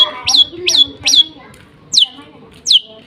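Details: Lovebird singing in the sparrow-imitating "nembak gereja sambung" style: sharp, high, downward-sweeping chirps, three in quick succession and then two more spaced apart, over low background murmuring and voices.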